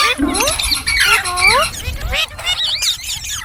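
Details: Green parrots utter warbling, swooping calls and a harsh squawk, then quieter chatter trailing off.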